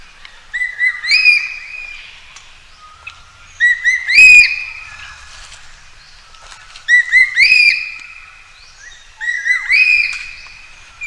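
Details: Calling for a mate, a Common green magpie gives layered whistled phrases in clusters about every three seconds, with rising and falling harmonic notes, one brief sharp knock, and a quiet, clean background.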